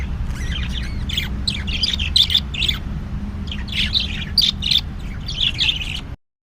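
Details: A budgerigar chatters in quick, scratchy chirps and squawks, bunched in bursts, during mating, with a low hum behind.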